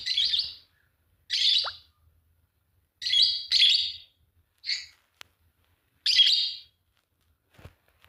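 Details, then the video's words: Fischer's lovebirds, a green pair, giving shrill rasping chirps in separate bursts about one to one and a half seconds apart, some doubled, with near silence between calls. "Lovebird singing and chirping sound, green fischer pair"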